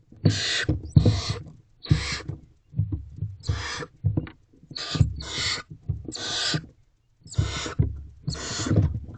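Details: Owlets of a barn owl jostling toward their mother inside a nest box, night of 28 April 2023. Eight rasping hissed screeches in quick succession over low scuffling and bumping noises from the box.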